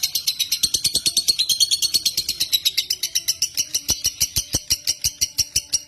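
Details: Fast, steady chattering of a lovebird, a small social parrot of genus Agapornis: sharp, scratchy high chirps repeated about three times a second without a break, with faint low clicks underneath.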